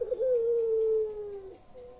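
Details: One drawn-out, steady hoot from a puter pelung collared dove, held over a second and sliding slightly lower at the end. The call is played to prompt reluctant birds to sing.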